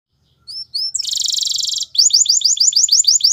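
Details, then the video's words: Canary singing: two short whistled notes sliding upward, then a dense buzzy roll held for nearly a second, followed by a fast run of repeated high rising notes, about six per second. "The BEST Canary Sounds!!"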